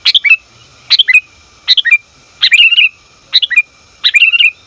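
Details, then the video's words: Female sooty-headed bulbul calling to attract the male, meant for luring and training birds; six lively phrases of two or three quick chirps ending in a downward slur, roughly one phrase per second. "Suara Burung Kutilang Betina Memanggil Jantan"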